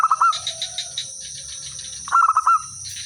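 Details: Local zebra dove in active song, used to coax answers from other birds; one phrase ending as the recording opens, then a fuller burst of five or six quick soft coos, with high steady hiss and faint chirping.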